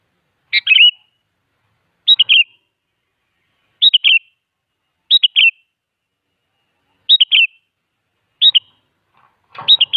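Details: Sooty-headed bulbul in lively song, meant as a lure to prompt other bulbuls to answer: short, bright bubbling phrases of two or three liquid notes, repeated every one to two seconds against a quiet background.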